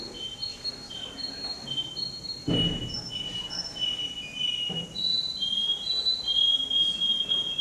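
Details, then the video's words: Contest male canary number 10, Rostov-on-Don, 22 January 2011, pouring out drawn-out high whistled tones and rolling notes that change pitch in stages, with a dull thump partway through and constant room noise. "Конкурс канареек, Ростов-на-Дону, кенар №10"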